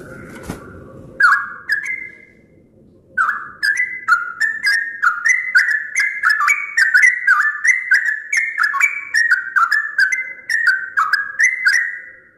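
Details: Sooty-headed bulbul at dawn, among the first birds to sound in the morning: after a brief rustle and a pause, a lively stream of short rising and falling whistled notes, delivered in rapid repeated phrases with faint clicks throughout.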